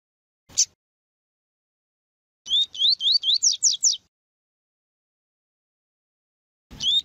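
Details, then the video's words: Double-collared seedeater song of the tuí tuí style, played to warm up and teach young birds: a single phrase of about seven quick upslurred whistled notes, with isolated sharp notes before and after amid silence. "ESQUENTAR CANTO DO COLEIRO TUÍ TUÍ PARA ENCARTE TUÍ TUÍ PERFEITO PARA ENSINAR PAPA CAPIM E COLEIRO"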